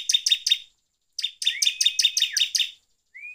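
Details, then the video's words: Bar-winged prinia singing loudly and continuously, played as a lure to provoke other prinias: two bursts of sharp, high, rapidly repeated chirping notes, three, then about eight, separated by a short pause, with a thin rising whistle at the end. "PANCINGAN CIBLEK GACOR NGEPLONG BIKIN EMOSI INI!"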